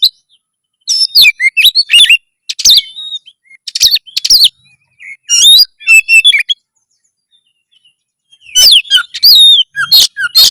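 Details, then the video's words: Vigorous Oriental magpie-robin song intended to boost breeding drive and fighting spirit: bursts of rich warbling and harsh scratchy notes in phrases of about a second, separated by clear pauses. "masteran kacer gacor suara lantang menaikan birahi burung kacet ON tarung"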